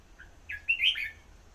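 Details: Red-whiskered bulbul delivering a compact whistled phrase, a soft opening note followed by a bubbling, up-and-down warble, against a low steady hum.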